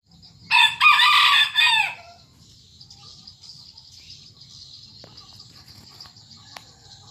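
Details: A Serama bantam rooster, an aggressive and frequent crower, gives a short, high, strained crow lasting about a second and a half.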